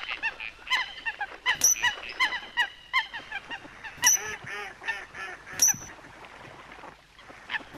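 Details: Coot voices: a series of nasal honking calls comes in uneven bursts, with bright, sharp pitt-like clicks every second or two. The calling fades to quieter squeaks at the end.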